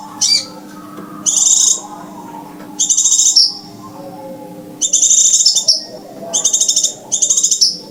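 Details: Lure recording of scarlet minivet calls, used to attract the birds to glue traps: short, shrill pulsed phrases, some with a falling tail, given at irregular intervals of one to two seconds against a quiet background.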